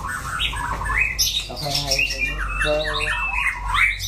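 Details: White-rumped shama with orange plumage in wild-style song: harsh squawky notes mixed with bright whistles and quick rising slurs, delivered in dense, overlapping bursts over a low steady hum.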